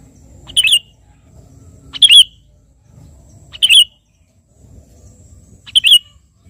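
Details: Sooty-headed bulbul in vigorous song, calling out to a rival, delivering single short liquid chirped phrases with a quick upward-then-downward twist, spaced about every one and a half seconds over a soft low background hum.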